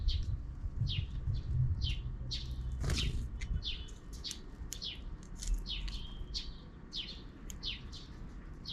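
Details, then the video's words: Noisy sparrows off-screen in the afternoon: dense, rapid high chirps, some slurred downward, repeated almost continuously over a quiet low hum. "Even in the afternoon, the sparrows are still making noise outside the camera frame."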